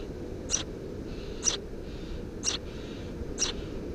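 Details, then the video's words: Nest of three Eurasian tree sparrow nestlings under a house roof, 2 June 2017: brief high chirps repeated almost exactly once a second, four in a row, with a soft hiss between them and low background rumble. "Воробей полевой 170506 1 под крышей дома 20170602gp4k 3 чирикающие мордашки"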